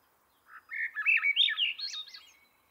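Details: {'text': "Song of a Swainson's thrush: one fluty phrase that climbs steadily in a rapid upward spiral of linked whistled notes, then trails off softly, with no other sounds."}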